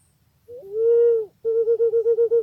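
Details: A sustained whistled note from a pink-necked green pigeon, then a fast run of about ten short throbbing whistles at the same pitch.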